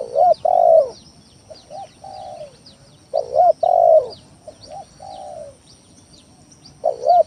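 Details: Lure song of a spotted dove, calling constantly to provoke opponents: loud husky coo phrases about every three seconds, each echoed by quieter short and long coos, amid faint high twittering.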